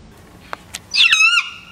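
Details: Wild Sulphur-crested Cockatoo, a regular visitor to a bird feeder, cranky and unhappy: one harsh, screeching squawk with a rising then level tone lasting about half a second, preceded by a couple of soft clicks.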